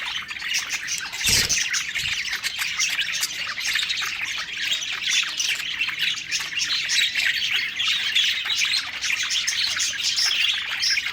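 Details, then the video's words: Happy budgerigars feeding and singing together, steady twittering warble of many small chirps and scratchy notes, with one sharp click or knock early on. "Happy Singing & Eating Parakeet Budgies Birds"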